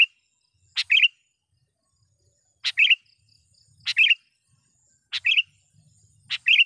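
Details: Vigorously calling sooty-headed bulbul luring a rival: five quick phrases at uneven gaps, each a sharp scratchy onset and a tight cluster of bubbly whistles, with faint low rustling between them.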